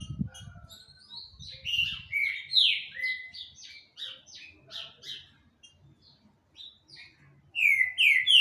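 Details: Green-winged saltator singing a lot: a run of loud, clear whistled notes, each sliding downward, fast and uneven, with a short pause before a final burst of three strong falling whistles; low thumping noise at the start.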